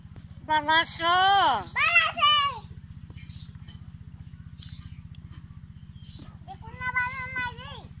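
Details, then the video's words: Caged myna imitating a girl's voice: two loud, rising-and-falling harmonic utterances, then soft breathy notes and a final wavering phrase, over a steady low mechanical hum indoors. "মেয়েদের মত কথা বলে ময়না পাখি"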